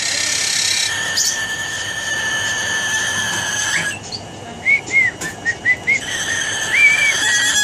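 An umbrella cockatoo gives a harsh, buzzing screech for several seconds, then a run of short, high squeaky whistles, each rising and falling, several a second.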